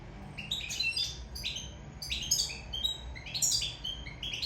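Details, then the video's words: Sicilian European goldfinch in love, singing a steady stream of bright, high chirps and short twittering phrases, slightly quieter, with a brief harsher note mixed among the tinkling notes. "Favoloso canto cardellino siciliano in amore"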